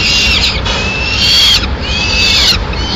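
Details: In Madrid, May 2016, a female peregrine falcon brings a pigeon to the nest; two sustained, strained whining calls, each near a second long and falling at the end, rise above a continuous dull hum.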